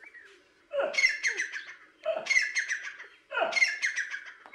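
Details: Tame grey francolin (teetar) kept at a house in Dadyal, Kashmir, Pakistan, trained to call only to its owner's voice: three loud, harsh, ringing phrases, each about a second long, repeated roughly every 1.3 seconds in a quiet setting.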